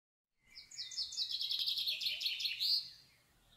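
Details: Common kingfisher (Alcedo atthis) at Marismas Negras ornithological reserve, Astillero, Bay of Santander, Cantabria, Spain, recorded by a camera on a floating common tern nesting platform: a rapid run of high, thin, piercing whistled notes lasting about two and a half seconds.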